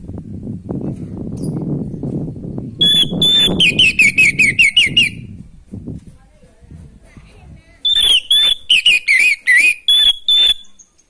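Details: Orange-headed thrush in loud natural song, played to rouse a thrush short on breeding drive: low murmuring background first, then two bursts of clear high whistles followed by quick descending, chattering notes, each burst lasting about two to three seconds.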